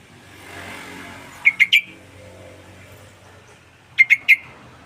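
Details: Sooty-headed bulbul singing vigorously, a lure and tutor recording; two short bursts of three quick bubbly notes each, spaced about two and a half seconds apart over a quiet, faintly humming background.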